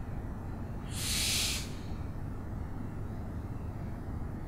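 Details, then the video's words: Single loud, breathy screech from an owl, about seven tenths of a second, followed by low continuous background noise. "OWLS SOUNDS"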